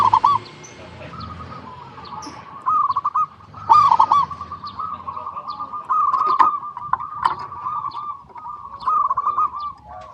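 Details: Zebra dove song used as a lure for other zebra doves; long even purring coo line with repeated louder stuttered bursts, scattered clicks and knocks throughout.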